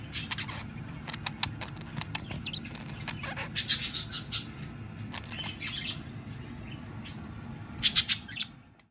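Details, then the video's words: Caged male budgerigar courts his new mate after feeding her, kissing her with little sounds while the pair have three eggs in the nest. Soft ticking clicks lead into a cluster of bright, rapid warbling chirps, then a final sharp chirp burst late on. "Budgie Male kisses his female partner and tells her "I love you"."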